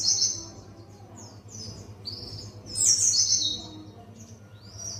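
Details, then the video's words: A Buxton's white-eye learning wild songs delivers high thin twittering phrases, bursts of rapid chirps near the start and middle with quieter gaps, over a steady low hum. "Pleci Buxtoni belajar ngalas"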